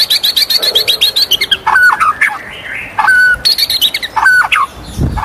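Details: In morning song, a white-rumped shama alternates fast high chip series with clear drawn-out whistles and low rich notes, separated by brief gaps.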